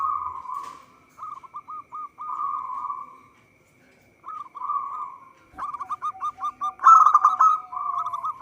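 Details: Local zebra dove (perkutut) singing vigorously, a recording used as a lure for trapping. Its song has bursts of rapid, staccato cooing notes at mid pitch, strung into quick rolling phrases with short pauses between them.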